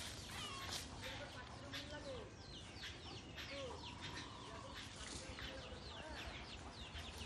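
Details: Group of jungle babblers, known locally in Rajshahi as saat bhagi for living in groups, in a mango orchard: dense overlapping squeaky, chattering notes with rising and falling strokes throughout, mixed with a person's voice.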